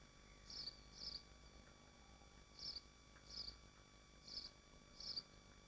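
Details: Nesting swifts in Machynlleth in the Dyfi Biosphere: shrill, short screeching bursts arrive in loose pairs, six in under six seconds, over a quiet background hum.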